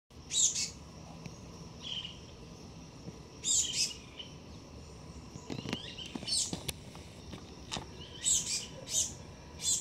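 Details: A young male Black-goggled Tanager visiting a garden fruit plate for the first time, watched by a pair of Dusky-legged Guans, gives high, thin chips in short clusters every two or three seconds, with a few sharp knocking clicks between.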